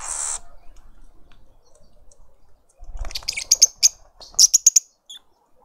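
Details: Lovebird family feeding a juvenile in a suburban garden in Pretoria, South Africa. After a short noisy burst, a rapid series of sharp, very high, shrill chirps comes in two clusters of four to five notes, then a single faint chirp.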